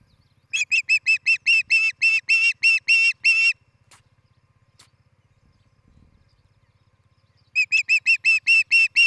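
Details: At a Charlo, Montana nest site on a July 2018 morning, an osprey gives a fast run of about a dozen sharp whistled cheeps, falls silent for several seconds, then starts another quick burst; faint steady hum beneath.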